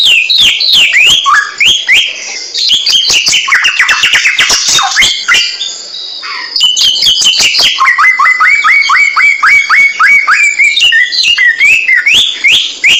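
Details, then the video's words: Samyong bird in full song for a masteran recording: dense chattering trills, then a brief lull near six seconds followed by a long series of rapid repeated chirps, about four per second, sharp and high. "Mastran burung samyong"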